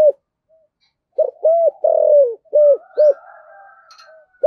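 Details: Spotted dove used as a lure bird, 'thổ sấm' voice style: a phrase of five deep coos with a long falling centre note, followed by faint higher chirping.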